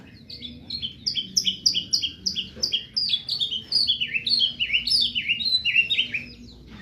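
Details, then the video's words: White-rumped shama from Medan pouring out rapid, high chirped notes in long repeated runs, some phrases rising and others falling, steady and loud throughout over a faint low hum. "Burung murai batu medan"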